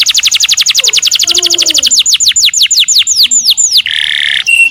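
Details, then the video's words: Pet canary kept at home delivers a fast high rattling trill of evenly spaced notes, slowing into drawn-out downward-sliding whistles and ending with a harsh buzzy note. "Burung kenari gacor rumahan"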